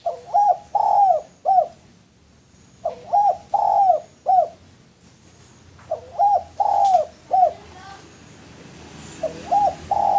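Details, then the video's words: A male spotted dove used for luring repeats its three-part coo four times, roughly every three seconds. Each phrase is a quick double note, a drawn-out falling coo and a short closing note. "Derkuku Tekukur Jantan Cocok Buat Pancingan"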